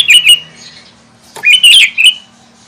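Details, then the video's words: Sooty-headed bulbul singing to provoke other bulbuls: two short bursts of harsh, slurred chirping notes about a second and a half apart, with a faint low hum behind. "kicauan suara kutilang gacor asli bikin kutilang lain bikin emosi langsung"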